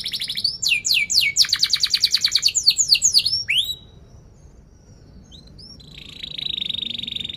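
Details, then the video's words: Canary in full song, with chirps and a sharp rolled trill, played to prompt young canaries learning to sing and silent canaries: fast repeated high notes for over three seconds, a pause, then a steady buzzy high tone. "Kenari Gacor Cuit cuit NgeroL TAJAM"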